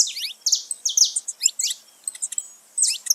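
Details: Saffron finches singing loose in nature: a tumble of high chirps and buzzy sweeps, thinning to scattered clicks and squeaks midway before a final bright note.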